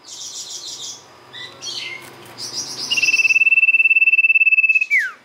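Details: [['Lure song of a golden-bellied gerygone (sirtu): varied high chirps and short phrases, then a long, strong, evenly pulsed trill on one pitch, ending with a sharp falling note.']]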